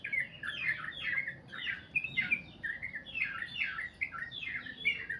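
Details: Sooty-headed bulbul singing in the long 'goklik' style, with loud rich chirps in overlapping clusters and short slurred phrases repeated in quick groups.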